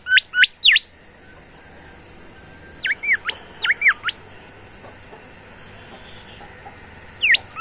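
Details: Vigorous bimoli song arrives in short bursts: three quick rising whistles, a pause, a run of six sweeping slurred notes, more quiet, then a final single whistle near the end.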